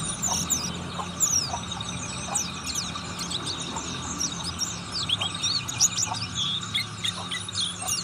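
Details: Oriental white-eye of the buxtoni form singing in ngriwik style: a dense, rapid stream of high twitters, thin slurred whistles and chirps running continuously for eight seconds, over a steady low background hum.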